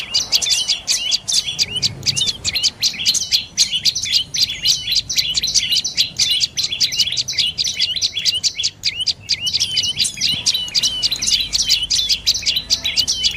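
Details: Dark-necked tailorbird from lowland forest, bamboo and orchard habitat in lower northern Thailand, giving rapid high chirps run together in a long, nearly continuous rattling series of sharp notes, with a short pause near ten seconds.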